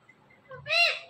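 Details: Pet Indian ringneck parrot talking: a short, soft first syllable followed by a louder, drawn-out, rich harmonic syllable that rises then falls, like a spoken word repeated. Quiet room background, no other sounds.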